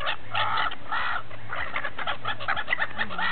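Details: Feeding gulls near St. Petersburg at Repino give drawn-out nasal cries followed by rapid short notes from many birds, over a steady low rumble.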